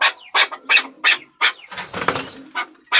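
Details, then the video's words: Chukar partridge chuk notes repeated in a loose rhythm, interrupted midway by a burst of noisy flapping-like sound and a high squeal. "Chakor Ki Awaz || Chukar Partridge Sound"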